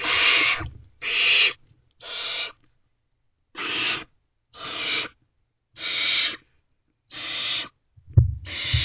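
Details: Owlets of the barn owl in a nest box at night, 12 May 2023, 3:27 am, while an adult male delivers food; drawn-out rasping hisses come roughly once per second with short silent gaps, and a bump near the end.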